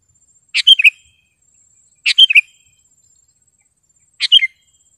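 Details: Prolific sooty-headed bulbul with a sharp, clear song, played to train caged birds and lure wild ones in gardens: three brisk, bubbling three-note whistled phrases, each about a second and a half apart, over a faint high hiss.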